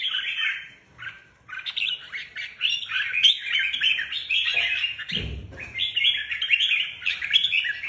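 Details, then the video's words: Red-whiskered bulbuls kept as competition birds, being readied for a contest: bright, warbling phrases of quick rising and falling notes repeated almost without pause, with a brief low thump partway through. "Các chiến binh chào mào chuẩn bị giải"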